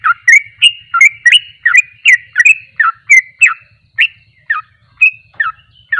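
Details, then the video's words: Sooty-headed bulbul, locally trucuk, delivering ropelan song, a quick sequence of rising and falling whistled notes with uneven spacing, over a faint low ticking in the background. "Ropelan burung trucuk paling Juoss..!!!"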